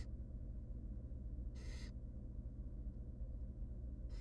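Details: A single rasping hiss from a tiny wild barn owl nestling begging while being fed by its mother in a nest box, one of three young, over continuous low hum.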